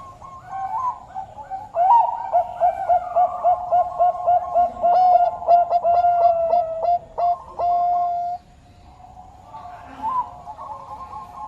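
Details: Zebra dove, Bangkok variety, cooing in a fast, rhythmic series of short hooked notes that swell and then stop. Softer bird sounds continue afterward.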